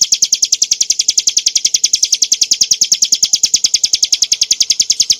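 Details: Song of a bar-winged prinia (Prinia familiaris montana), used as tutor material for cage birds: an unbroken, fast string of bright, high, clipped notes repeated evenly, with no other sounds.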